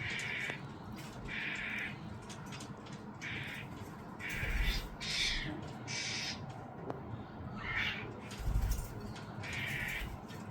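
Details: Fledgling starling calling as its parents bring food: a run of grating, raspy begging bursts at irregular gaps, with low thumps and constant background rumble.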